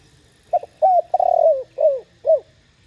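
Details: Spotted dove calling in the clear 'thổ đồng' style used to prompt other doves; one phrase of a brief note, a rising-falling coo, a long burry coo and two falling coos.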